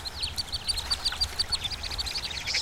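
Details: Mandarin ducklings, only a day old, just leapt from their nest and running after their mother's voice towards a pond in warm sunshine, a magpie threatening: a busy chorus of thin, high, overlapping peeps, several each second, over low rumble.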